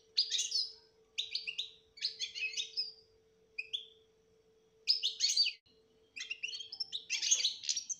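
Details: Betbeta song with tasfiya from a European goldfinch, played to make a silent bird sing; short bursts of bright twittering separated by pauses of about a second, a lone whistle in between, faint electrical hum throughout.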